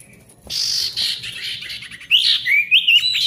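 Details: Ashy tailorbird male in gacor song for restarting quiet tailorbirds: a hoarse buzzy stretch followed by loud sharp whistled upslurs and twisting notes.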